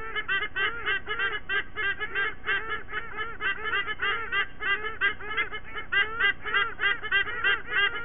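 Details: White-bellied sea eagles at a nest in Sydney Olympic Park, Australia, the adult pair joined by their two chicks in a morning singing ritual, late September; rapid honking, goose-like yelps repeated several times a second, layered voices throughout.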